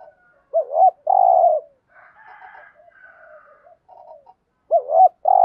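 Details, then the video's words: Decoy spotted dove held in a cage to lure wild ones, cooing: a double hooked note and long coo, a stretch of faint soft sounds, then the phrase starting again. "tieng chim cu gáy thúc gù, chim cu gáy bài bản giúp bổi nhanh nổi"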